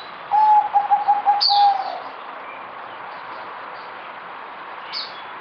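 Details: Zebra dove (merbok) song: a rapid staccato run of soft, rhythmic cooing notes on one low pitch, lasting about a second and a half, with sharp high chirps from another bird before and after.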